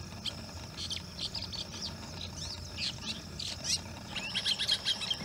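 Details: Long-tailed shrike near Udaipur, Rajasthan, in August 2022, giving a varied mimicry song copying rain quail, rock bush quail, spotted owlet and myna: rapid scratchy chatters, short notes and high bursts over a low background rumble.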